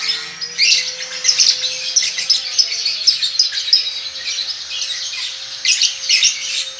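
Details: Young lovebird, one and a half months old and said to be 'konslet', producing bursts of sharp, high squawky chirps in rapid irregular clusters, briefly pausing before a final burst, over a steady faint tone.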